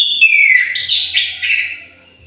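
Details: Aviary-kept orange-headed thrush delivering a short burst of song: a descending whistled note sliding into rapid, warbled, slurred phrases that fade out.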